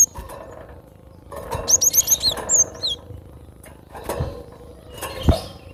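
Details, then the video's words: Cinereous tit (gelatik batu) song: a rapid run of five high, thin whistled notes followed by a couple of longer falling whistles, then only knocks and low background noise. "Gelatik batu suara asli"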